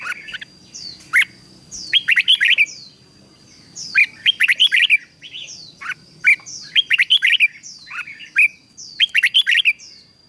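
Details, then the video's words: Red-whiskered bulbul in training, a caged bird singing the ché style used to rouse other males: bursts of bright, rich whistled notes and fast chattering phrases, with pauses of about a second, over a steady high electronic whine. "Luyện chào mào hót căng lửa, QUÁ HAY - CHÉ KÍCH BỔI CĂNG ĐÉT"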